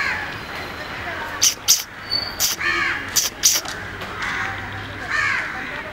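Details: Male Asian paradise flycatcher, a noisy bird, giving harsh, grating skreek calls, several in quick succession over a few seconds, with a steady low background hum.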